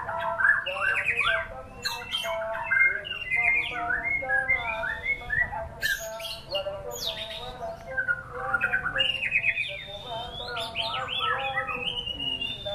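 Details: White-rumped shama (murai batu) showing off a dense, varied song with sharp high flourishes, bubbling whistled runs and brief pauses between bursts, over soft steady background tones.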